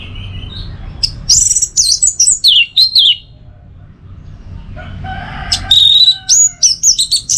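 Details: Orange-headed thrush song for training and luring toward the teler style: quick runs of high slurred whistles, a short pause, then another varied run of sweet notes and trills.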